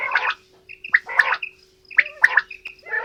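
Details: Quail of both sexes calling in a mix: rough, gargling bursts with bright chirps on top, grouped in clusters about a second apart, a low steady hum underneath.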